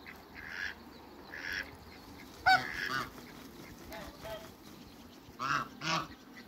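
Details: A pair of large African geese giving short, harsh nasal honks in scattered bursts, a loud single honk near the middle, against steady background noise.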